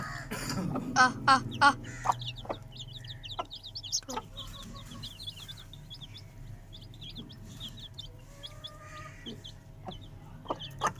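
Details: Home-raised Aseel chicken chicks: a few loud clucks open, then scattered high, sliding peeps follow at a fast irregular pace. Occasional clicks and a faint steady hum sit underneath.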